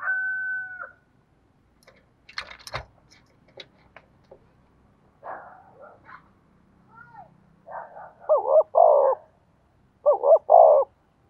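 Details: Decoy spotted dove in thổ voice style: clicks, knocks and soft sounds come first, then two clear phrases of doubled, wavering coos near the end.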